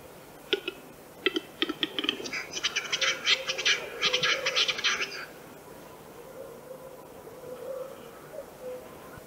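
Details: Western capercaillie from Central Russia: a few dry, spaced clicks speed into a fast run of hissing, scraping notes for about three seconds, then stop; a faint hum lingers behind.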